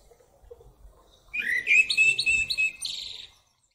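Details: One clear common blackbird phrase: after a near-silent start comes a mellow, flute-like warble of several linked notes, closed by a brief high squeaky twitter, then silence.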